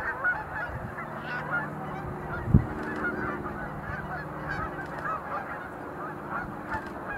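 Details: Sandhill cranes at Montezuma National Wildlife Refuge visitor center in November 2020, some engaged in display leaps; steady chorus of rolling, rattling calls from many birds, a low hum, and a single sharp knock.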